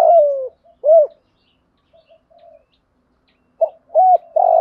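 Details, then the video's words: Spotted doves, male and female, cooing for decoy training: a falling coo, a rounded hoot, soft low murmurs, then loud hoots again at the end. "Tiếng chim cu gáy dùng kích bổi hiệu quả mỗi ngày"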